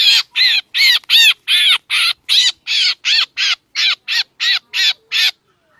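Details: Black drongo lure call used by bird trappers: around fifteen grating, buzzy notes repeated rhythmically, slightly quieter toward the end, then stopping abruptly.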